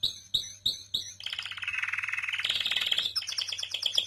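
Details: Canary singing continuously indoors: a few short repeated chirps, then a long rapid rolling trill that rises into faster high-pitched warbled phrases, with a steady low hum underneath.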